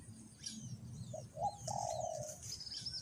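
A spotted dove gives a soft, low, hollow coo that swells and drawls out, with thin high chirps from other small birds above.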